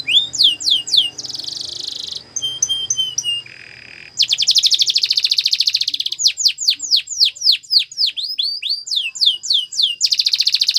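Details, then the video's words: Canary singing for training, with Spanish Timbrado style mentioned: varied phrases of sweeping whistles, a buzzy trill, short steady tones, then long rapid rattling rolls and fast repeated downward slurs, all high-pitched and continuous for about eleven seconds. "The Best Canary Sounds !! Canary Training"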